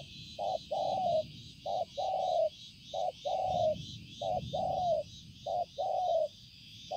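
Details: Spotted dove recorded on 5/9/2020, giving low hollow coos in groups, each a short note followed by a longer, slightly falling one, repeated about every second; a steady high insect-like hum runs in the background.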